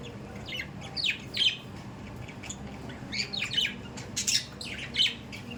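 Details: Pet budgerigars calling with scattered high chirps and brief squawks, short falling notes in small bunches separated by quiet gaps.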